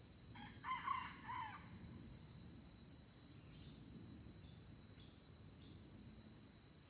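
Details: Red junglefowl hen calling the rooster, used in Vietnam as a lure for trapping wild junglefowl; a single short, harsh, harmonic call lasting about a second, over a constant high insect whine and a low rumble.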